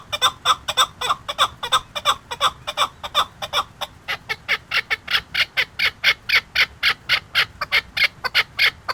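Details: Chukar partridge from Qubodiyon: a fast run of harsh, clucking chuk notes, about four a second, steady throughout and growing slightly brighter in the second half.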